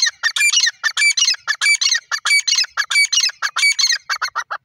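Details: Black francolin calling in a fast, harsh series of grating, chattering notes, about one and a half per second, loud and close with no other sounds.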